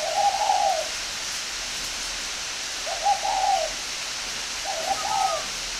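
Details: Spotted dove from northern Vietnam, kept at an aviary in Ba Vi district, Hanoi, delivering three well-spaced coo phrases about two and a half seconds apart, each a short slurred, hooting run, over soft hiss.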